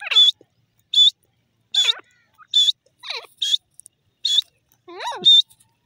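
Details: Grey francolin calling: loud, high, ringing notes repeated about every three-quarters of a second, several joined by lower sliding, descending whistled tones, with silence between them.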